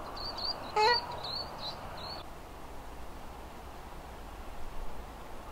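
Least Sandpiper giving five or six thin, high, slightly rising notes within two seconds, with one sharp click among them; low rumbling background follows.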